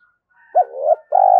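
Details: Spotted dove giving thúc-style cooing, called continuously to lure wild doves in quickly. A short, soft rising note leads into a longer, steady mellow coo and a strong, level final coo.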